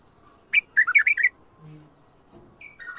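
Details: Bulbul singing song styles named for Mandali and Badra: a quick burst of about six rich, fluty whistled notes, then a pause before a softer whistled phrase begins.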